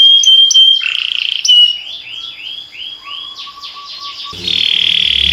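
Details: Canary song with a steady pure whistle, a short buzzy passage, soft repeated rising notes and a low held tone, then a harsh noisy burst near the end.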